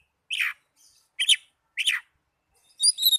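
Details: Song of an Oriental magpie-robin, meant to get young or silent caged birds singing: three short buzzy downslurred notes about half a second apart, ending in a thin, high warbled phrase.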